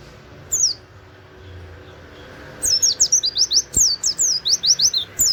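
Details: Oriental white-eye bursting into a rapid 'wit wit' canary-style song for training other birds: a lone high note, then a fast series of sharp, high, down-slurred whistles repeating about two or three times per second.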